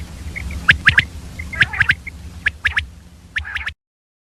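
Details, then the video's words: Early-morning female common quail giving a few spaced clusters of crisp ticking chirps with brief hooked whistles, then falling silent. "Common Quail Calling Early morning , Female Batair Ki Awaz"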